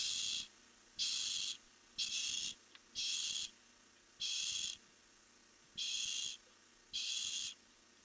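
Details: At night, two barn owls fly off in a webcam recording from 1 July 2015; seven loud, rasping hissed screeches about half a second each, repeated roughly every second in a steady series.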